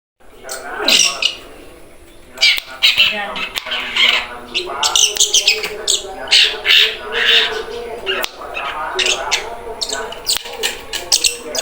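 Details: Young long-tailed shrike learning to sing, practising ngeriwik subsong: harsh, scratchy chattering bursts and buzzy squawks in irregular runs, with brief gaps, over a steady low murmur of background sound.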